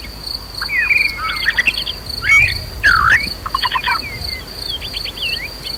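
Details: Agitated white-rumped shama whose song serves as a lure to provoke fighting and singing in other birds. Scattered whistles and fast, clipped note runs are heard, with a loud, steady insect tone throughout.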